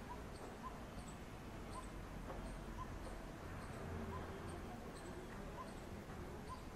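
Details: Coppersmith barbet couple, from a rooftop, on their way to feed chicks: evenly spaced low hollow tuk notes roughly every 0.7 seconds, faint high ticks above, steady low hum and hiss underneath.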